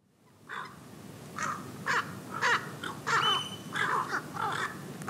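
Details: Pacific Reef Herons, light and dark morphs, on Heron Island, Great Barrier Reef, Queensland, Australia, 28 July 2019 at 08:50: harsh, hoarse croaking notes repeated irregularly, roughly one per half second, over steady background noise.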